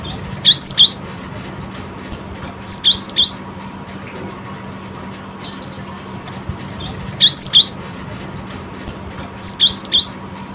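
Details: Cinereous tit singing in quick response: bursts of three to four sharp, high whistled notes, each burst about half a second long and coming roughly every two to two-and-a-half seconds, over a faint steady hum.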